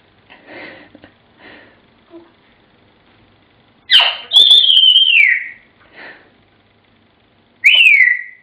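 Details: African grey parrot mimicking the tune Pop Goes the Weasel indoors. Soft mumbled sounds come first, then a loud whistled note that slides downward. After a pause, a second falling whistle follows.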